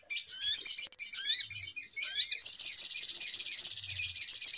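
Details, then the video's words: Trapping lure of little spiderhunter: tangled rising and falling whistled notes over high chatter, then an even, fast, piercing trill in the last two seconds. "Suara Pikat Ribut Burung Sogok Ontong Paling Mujarab"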